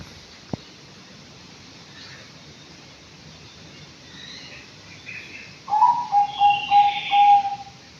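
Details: Five-month-old Anggungan in an aviary, quiet at first except for one sharp tap, then a rhythmic run of about six pulsing coos ending in a held note.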